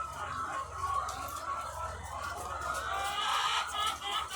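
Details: Egg-laying hens in their thousands on a farm produce a steady, blurred clucking chorus with brighter squawks toward the end, over a pulsing low mechanical hum.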